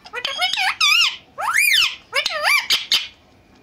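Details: Indoors, a talking pair of Indian green ringneck parakeets speak to each other in Urdu and Hindi. A rapid string of shrill, arching, syllable-like mimicked words runs for about three seconds, then stops.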